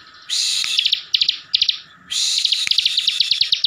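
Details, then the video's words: Kept Bar-winged Prinia from Slawi, Central Java, in full ngebren song aimed at stirring rival birds: two long harsh buzzes, each breaking into fast trains of clipped high notes. "CIBLEK GACOR FULL NGEBREN || BIKIN CIBLEK LAIN NYAUT DAN EMOSI"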